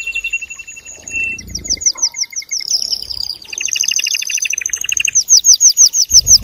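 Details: Male canary in vigorous song to spur mating. Shifting tours of fast trills change from clicking rolls to bright high whistled repeats, with faint low background noise.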